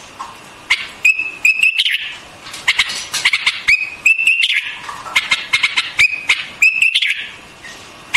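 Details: White-eared bulbul song in short bright whistled notes, some slurred upward, set among quick clipped chattering notes, with phrases returning about every second.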